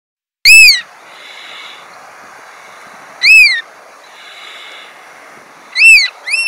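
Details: Black oystercatchers on rocks at low tide, Cesar Chavez Park, Berkeley, give loud, piercing identifying whistles that rise then drop, repeated every two to three seconds, with a steady hiss of surf behind.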